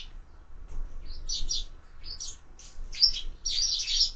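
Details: Sparrows taking food at window feeders give spaced, short high chirps that grow busier and louder in the final second, over a quiet background.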